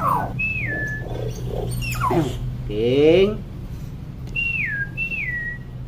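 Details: Talkative, vocal hill myna: speech-like garbled syllables and a buzzy rising sound, mixed with clear whistles that drop sharply in pitch and then level off, repeated several times, against a low hum.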